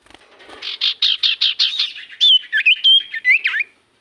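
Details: Common iora lure song for prompting other birds to respond: a steady series of rough chirping notes, then clear short whistles with quick downward twists.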